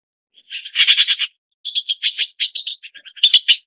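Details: Red-billed Blue Magpie (Urocissa erythroryncha) giving harsh, rasping chatter in quick bursts, a rattling run, then a short pause and a string of scratchy, uneven notes.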